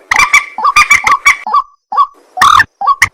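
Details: At night, a white-breasted waterhen gives harsh honking croaks and short rising upslurred notes with brief silent gaps.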